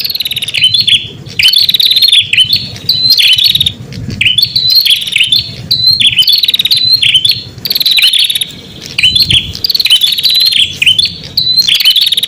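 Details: Prinia lure song played to call in wild prinias: bright, high bursts of rapid pulsed trills with quick down-and-up flicks, each burst about a second long and repeated after short pauses, over a faint low hum.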